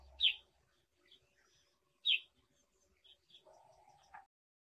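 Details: Brown shrike, also called grey-headed brown shrike, giving short sharp chirping calls, two loud high notes about two seconds apart followed by softer chattering and a final rising note.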